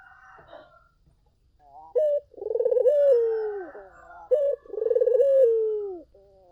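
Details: Collared dove song played to lure other doves into answering. After faint chirping, two full phrases follow: each a short sharp note, then a rolling, pulsing coo that slides lower and fades.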